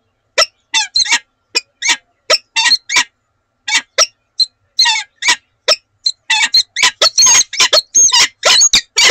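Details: Breeding pair of peregrine falcons at Oudenaarde in their morning exchange on 7 March 2020: harsh, rasping calls in irregular bursts, spaced at first, then crowding together faster and louder.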